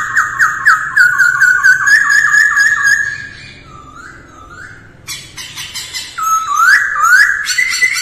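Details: Masked laughingthrush practising its song at dawn as daily voice training: rapid rising whistled notes, a quieter pause with two soft slurs, then sharp clicks and renewed loud upward-sweeping phrases.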